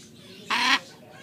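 A Catalina macaw gives one harsh, raspy squawk lasting about a quarter second, loud and broad-toned, against a quiet background.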